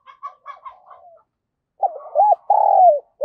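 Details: Caged decoy spotted dove calling strongly to lure wild doves, singing in the fast-cooing 'thổ thúc gù' voice style. Soft, faint stuttering notes open the passage, then loud, low, throaty coos follow with a bent hook note and a long, sliding, falling coo.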